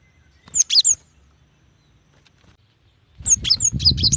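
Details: A female cinereous tit calls out to a male with very fast chirps. A short pair of high, sharp notes, a pause, then a quick string of bright tweets over rustling, scraping noise.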